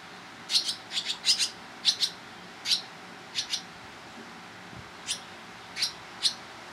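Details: Barn swallow young being fed by their parents in July in Toronto, Ontario, Canada: scattered high, clear chirps, single or paired, coming irregularly over a quiet background.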